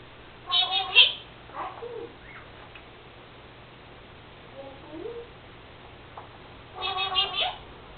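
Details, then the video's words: A female pet Senegal parrot talks indoors. Two short bursts of harmonic, voice-like chatter, one at the start and one at the end, are separated by softer, scattered small vocal sounds and quiet. "Senegal parrot Lucy talking...and making sneezing sounds.."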